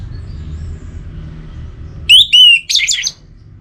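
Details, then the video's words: Orange-headed thrush, its song used to rouse birds that have stopped singing: two quick whistled notes, then a burst of scratchy, higher chirps. Steady low hum in the background. "Obat Gacor Burung ANIS MERAH Buat Burung Yang Lagi Malas Bunyi"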